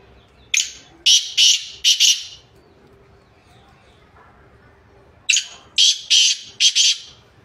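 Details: Black francolin (Sindhi or kala teetar), recorded 2-1-2024, delivering two phrases of four to five loud, grating, rasping notes about five seconds apart, with a quiet pause between them.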